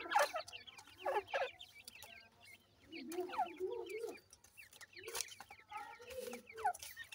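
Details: Captive francolin chicks during feeding make clustered, high-pitched, down-slurred chirps in irregular bursts, with softer lower notes in between.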